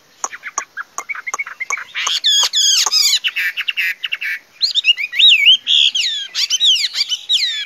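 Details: Chinese hwamei singing: a run of short sharp clicks and notes, then loud, rich, rapidly changing whistled phrases with rising and falling slurs, delivered quickly and irregularly, with a brief pause near the middle.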